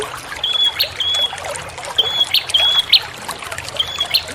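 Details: Bar-winged prinia call used as a lure, with sharp high whistled notes repeated in short pairs, each ending in a brief clicky flick, over a constant background of trickling water.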